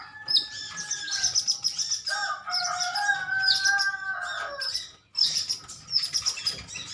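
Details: A colony of metallic-greenish sunbirds chirping at one another: busy high twittering with longer, lower whistled phrases running through the middle, then a fresh burst of chirps.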